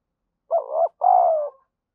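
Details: Lure cooing of a spotted dove, meant to excite other doves into calling. Two mellow hooting phrases: a brief wavering opening coo, then a fuller drawn-out note sliding slightly down, clean and unaccompanied.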